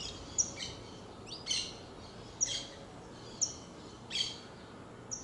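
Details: Saffron finch singing: short, high, bright chirped notes given singly at irregular intervals of about a second, each a quick sharp burst, over a steady faint background hiss.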